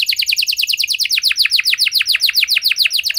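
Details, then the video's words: Canary singing a steady rapid series of downslurred whistled notes, about three or four a second, a long-duration song meant to get other canaries singing. "Kenari Gacor Durasi Panjang Cengkok Istimewa! Efektif Buat Memancing Kenari Macet Biar Gacor Kembali"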